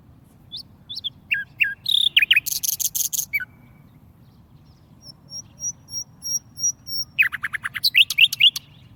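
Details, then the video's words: Tame warbler kept in a cage sings brisk phrases of sharp chirps and a dense buzzy burst, followed by a string of very high thin ticks and another quick run of bright repeated notes over low steady hum. "warble bird tamed in cage and singing very nice پنجرے میں بند جنگلی پرندہ بہت اچھا گاتا ہے۔"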